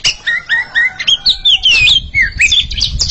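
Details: Two Oriental magpie-robins dueling in song: a continuous run of sweet, looping whistles, each slurred note rising or falling, delivered in quick succession over faint low background rumble.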